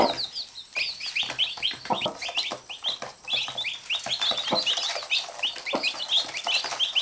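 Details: Chicks crowding a mother hen, biting her while she pecks back. Rapid shrill peeping, several chicks calling at once, with brief low clucks and pecking sounds.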